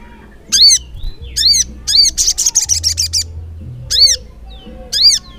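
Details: Sogok ontong, or ruby-cheeked sunbird, in nonstop ngleper singing. Loud, high, arching chirps repeat about once a second, broken by a quick burst of buzzy, rattling notes.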